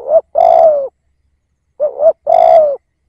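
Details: Spotted dove decoy bird, two phrases about 1.8 seconds apart, each a short rising note and then a long steady coo that falls away at its end, over silence.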